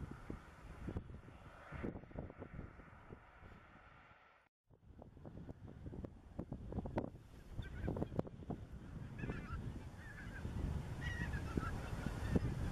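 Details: Greater white-fronted geese under the spring moon give high, yelping honks that grow busier toward the end, over a steady rumble of wind; Dannenberger Marsch, 25 March 2013.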